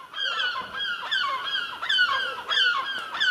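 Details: Several gulls circling in the sky above a house roof and chimney pot, giving loud harsh descending calls with rich harmonics, about a call and a half per second, overlapping one another.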